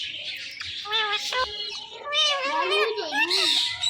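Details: Male and female pet Indian ringneck parakeets talking to each other in the morning. Wavering, speech-like harmonic chatter rises and falls, with several rapid overlapping syllables in the second half.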